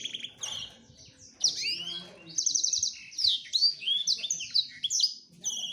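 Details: A male black-throated canary courts a female with a high, rapid song; quieter scratchy notes open, then loud trills, swooping whistles and chattering phrases follow, over a soft low background hum.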